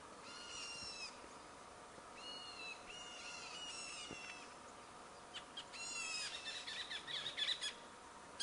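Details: A black bulbul answering another of its kind with cheeps: a series of rich, harmonic, downward-curving cheeps and flatter nasal notes, separated by pauses, with faint clicks and steady background noise.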